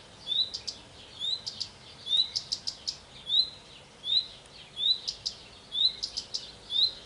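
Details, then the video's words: Male common redstart singing from a pear tree: about eight short phrases in seven seconds, each opening with a clear, high whistled note and ending in a quick burst of thin, higher twittering notes, over faint steady hiss. "Canto sul Pero ma non cado dal Pero, maschio di Codirosso Comune"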